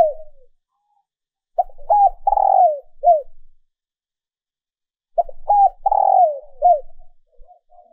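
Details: Female dove giving cooing calls used to stimulate males: two low, soft cooing phrases about three and a half seconds apart, each a short run of hollow, bending coos with a longer, purring middle note.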